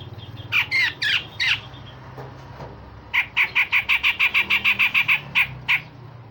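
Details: A singing cucak jenggot, or grey-cheeked bulbul, delivering coarse rasps and sharp shots meant to train other songbirds. Grating notes open, a short pause follows, then a long rapid series of about fifteen harsh, clipped rasps over a low hum.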